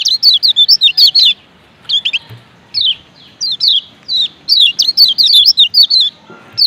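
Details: Lombok lemon-bellied white-eye male giving rapid runs of thin, high, down-slurred chirps, several bursts of fast repeated notes separated by brief pauses.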